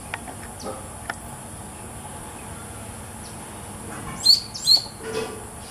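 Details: Chiguanco thrush at Villa Los Aromos, Córdoba, in December 2014 gives two quick, thin, high calls half a second apart near the end, over a quiet background with a faint steady high hum.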